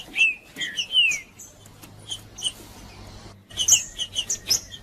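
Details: Green-winged saltator male singing macheando style to stir up other males: a few descending whistled notes open, a quieter stretch with faint low hum follows, then a final burst of bright whistles and chips.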